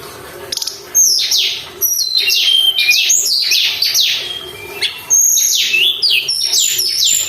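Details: Sunda robin in full, constant song, used as a lure to provoke caged birds into singing: rapid high whistles sliding down and up, overlapping bright notes in a dense stream, with a brief quiet start.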